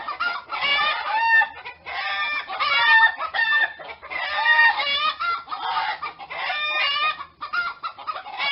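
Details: Chickens with a rooster, a continuous chorus of loud harmonic phrases with wavering pitch, rising and falling in bursts roughly every second or two, with clucking notes mixed in.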